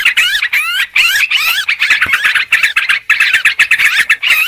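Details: Lure recording of noisy Sooty-headed bulbuls: rapid, scratchy chatter of looping, up-and-down notes running together with hardly a pause.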